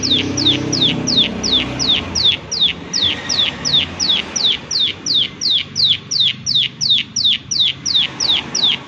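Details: Chattering "klik klik" prinia: a long, regular run of sharp, falling clicks, close to three each second, loud and clear above soft low rumbling.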